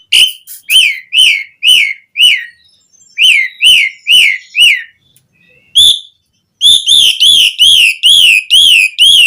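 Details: Asian pied starling song used to encourage captive birds to sing: clipped arching whistles in fast bursts of four to six, brief gaps between, ending in a rapid run of eight ringing notes.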